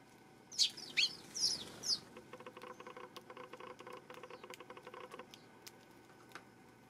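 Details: Eurasian tree sparrow recorded on September 12: four sharp, high chirps in quick succession during the first two seconds, followed by a long run of faint, dry ticking clicks.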